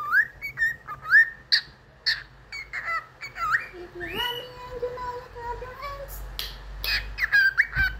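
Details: Domestic cockatiel whistling "If You're Happy and You Know It": a string of brief rising whistles, then a longer wavering phrase, with faint human voice and a light tap near the end.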